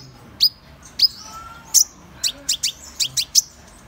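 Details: Van Hasselt's sunbird giving sharp, high, downslurred chips at irregular intervals, then a quicker burst of five thin notes near the end, over a quiet background.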